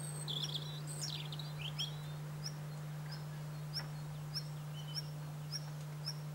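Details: Wallcreeper, a rare or passage bird in Corrèze, France, giving thin, high chips repeated about every half second after a brief burst of twittering notes, over a steady low hum.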